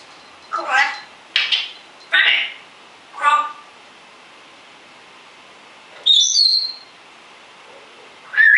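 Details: Rescued pet African grey parrot, alone after the owner leaves the room, makes several short harsh chattering calls in quick succession, then after a pause a high sliding whistle and one more brief call, indoors.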